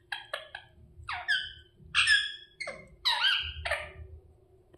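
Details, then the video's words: Pet rose-ringed parakeet indoors giving a short series of harsh, harmonic squawks and chirps, some rising and some falling, in bursts about half a second apart, with a faint low hum in the room. "Parrot chirping sounds | Naturals Sound Ringneck parrot"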